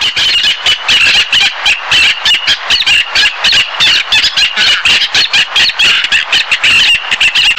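Harsh, rasping tern calls come in quick bursts, about three or four a second. They run on as an unbroken, high, scratchy chatter.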